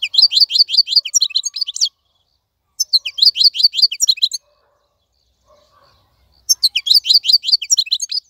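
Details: Caged wild European goldfinch in continuous song, three bursts of fast liquid twitters with short gaps between them, bright descending notes repeated quickly, nothing else audible.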